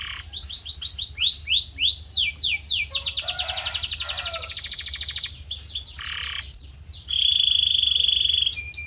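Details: Tutor recording of canary song for training a canary's voice: a run of falling whistled sweeps, a long rapid rolling trill, then varied chirps and steady high whistled tones.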